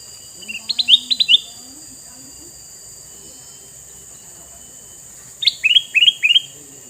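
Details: Male red-eyed sooty-headed bulbul singing two loud phrases of sharp, bubbly chirps, the second coming after a pause of about four seconds, with a continuous high hum behind.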